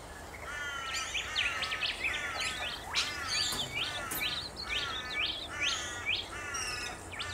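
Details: Rainbow lorikeets in Australia giving dense, harsh screeching chatter, a rapid series of strident sliding notes repeated over and over with several birds calling at once against steady background noise.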